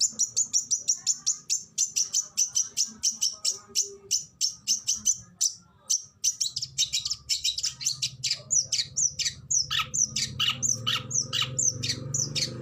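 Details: Oriental magpie-robin delivering rapid-fire song bursts for bird tutoring: many short, high, sharp notes repeated in fast runs, then a brief pause and more scratchy chatter, over a low droning hum.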